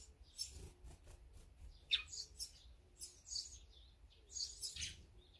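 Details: Assorted feeding birds listed as azure-winged magpies, sparrows, great tits and brown-eared bulbuls; sporadic high chirps and a sharp falling note, with soft low hum and light rustling.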